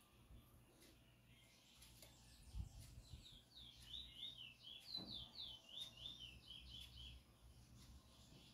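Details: Marbled chestnut-bellied seed finch, a selected songbird called bullfinch locally, heard close up; rapid, rolling series of high, sweet looping whistles lasting about four seconds after a quiet start, with a few soft thumps and low hum.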